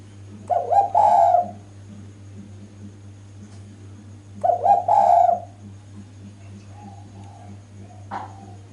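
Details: Female spotted dove calling to draw males: two cooing phrases about four seconds apart, each a short stutter into a longer coo, then a faint distant note, over a low steady hum.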